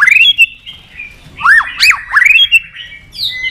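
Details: Competition singing from a white-rumped shama, tail flicking, in long wild-style voice: a rising whistled opening, then loud looping slurred phrases and bright ringing notes separated by short pauses.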